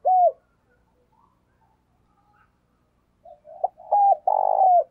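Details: Caged spotted dove lure bird cooing to draw in wild doves: a loud low coo, a pause, then soft rising notes building into a long throaty coo that ends in a falling note.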